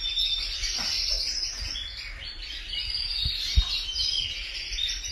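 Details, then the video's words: Canaries singing: a dense, continuous run of high, rolling trills and chirps throughout, somewhat faint, with a few low thumps around the third and fourth seconds. "Canaries Singing | Canary Chirping sounds | Kanarienvogel Gesang"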